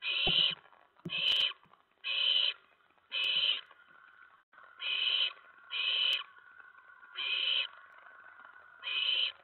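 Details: Owlets in a nest at night, 10 September 2017, around 2 AM, as adults deliver a rat and mice; harsh hissing bursts, about half a second each, repeated roughly every second with faint rustling between.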